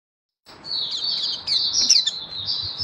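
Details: Oriental white-eye singing in a hobby display recorded on 24 February 2023: a high, thin warble of rapid chirps that starts after a brief silence and runs continuously, with a soft hiss underneath.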